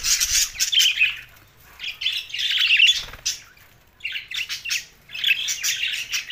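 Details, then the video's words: Budgerigars described as lonely, Larkana, Sindh, June 7, 2024: scratchy squawks and warbles in three separate bursts. Each lasts about a second or two, with quieter stretches between them. "lonely Budgies Barids"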